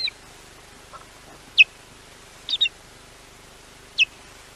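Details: At Llyn Clywedog in Wales, an osprey on a wildlife camera calls in alarm at an intruder. Piercing, clipped downward-sliding whistles come singly and in a quick pair over a quiet hum.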